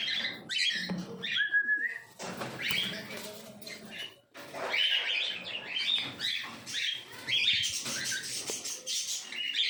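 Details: Two yellow-sided conures mixing thin, whistled chirps and a short descending note with bursts of rough, scratchy chatter and louder harsh squawks, in irregular phrases separated by short gaps.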